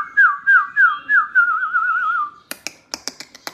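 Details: White-rumped shama song meant to encourage other shamas to sing: four loud, down-slurred whistles about every third of a second, a quavering warbled trill, then a series of sharp, snapping clicks.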